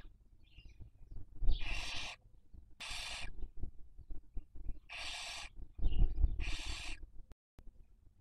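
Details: In Cabañeros National Park, Castilla-La Mancha, a barn owl raising young in the 2023 breeding season, seen on a nest webcam, gives four harsh broadband hisses in two pairs, with faint chirps and low rumbling background.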